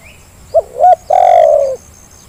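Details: Lure recording of a Zebra dove to make lazy birds call: one loud phrase of a short note, a rising coo and a long gently falling coo, over a quiet background.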